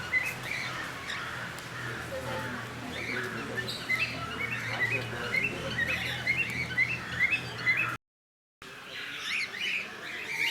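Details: Cockatiels in a mixed zoo enclosure with lovebirds and conures at Bannerghatta National Park & Zoo, India, chirp with bright, repeated notes, several birds calling over one another in a noisy setting.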